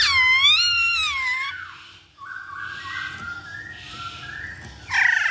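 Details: Masked laughingthrush song as a lure for making birds sing: a loud rich wavering wail that fades out, softer whistled notes in the middle, and another loud burst at the end.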